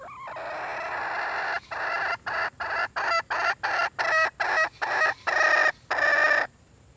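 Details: Hen red junglefowl giving a call for a mate: a sustained, loud, nasal note, then a steady string of clipped, rasping pulses that end in two longer, drawn-out notes before fading.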